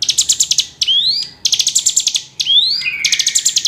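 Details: Hill prinia (Prinia superciliaris) song, used as a lure call to prompt a quiet hill prinia to sing: bursts of rapid, high, sharp chipping notes alternating with clear rising whistled sweeps in quick succession.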